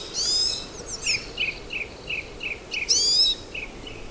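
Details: Pine siskin, a migratory North American finch, giving high rising wheezy notes mixed with a series of short lower chips spaced evenly, over a steady background hiss.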